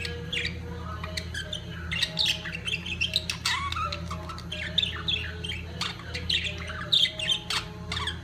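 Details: Several budgerigars during peak mating chattering continuously: dense mix of warbled chirps, clicks and short squawks, with a low background hum throughout.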